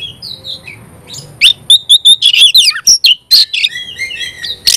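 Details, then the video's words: An actively singing Oriental magpie-robin. Soft whistles lead into a rapid string of bright, evenly repeated chip notes, then a loud scratchy flourish and descending sweet whistles. "Kacer gacor bikin kacer ngobra KONSLET"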